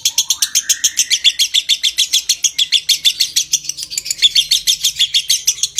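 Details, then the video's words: Lovebird giving a long ngekek trill used to stimulate breeding condition: a rapid, harsh chattering series of about three notes per second, opening with a rising whine, steady and sustained throughout. "Suara Masteran Burung LOVEBIRD Konslet Ngekek PANJANG Merangsang Birahi"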